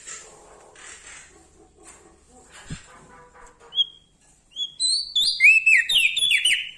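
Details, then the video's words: Bar-winged prinia from Lombok, actively singing: faint background rustles and a thump precede a couple of high whistles, then an intense rush of loud, shrill slurred notes and buzzy phrases fills the final two seconds. "Prenjak Daun Lombok gacor Mental Juara Nempel Sama Burung Besar Suara Nyaring"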